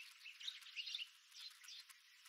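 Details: Brief burst of bird chirps at dawn on Wolfe Creek Crater's rim, Kimberley, Western Australia, recorded with a GoPro Max 360 camera: squeaky, high, clustered notes tumbling over one another.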